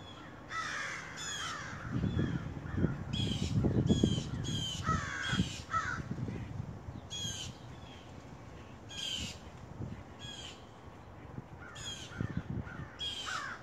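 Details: Large black crows near a home on a rainy day, giving harsh caws in irregular bursts, some overlapping, with low rumbling and thumping noises beneath through the first half.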